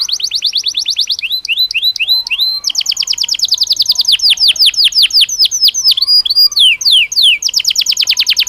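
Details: Belgian canary singing naturally, used as daily stimulus to train canaries: loud, continuous fast trills of descending notes, interspersed with rising whistled sweeps and rolling passages.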